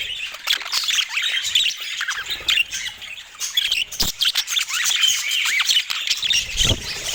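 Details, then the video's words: Budgerigars keep up rapid twittering and squawks in uneven bursts, with swooping chirps and occasional low knocks. "Dieser Sound macht Wellensittich Vogel verrückt"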